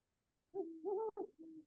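A great horned owl gives deep, soft hoots, four muffled notes run together in just over a second, the middle ones slightly rising and wavering.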